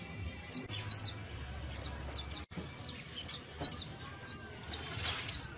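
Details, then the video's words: [['Saffron finch song: sharp, high, downward-slurred chips repeated quickly and irregularly, some doubled, over a low background hum with a brief dropout midway.']] "EL CANTO DE ESTA AVE VA A SERVIR PARA AYUDAR A TU CANARIO BASTO CRIOLLO [Sicalis Flaveola]"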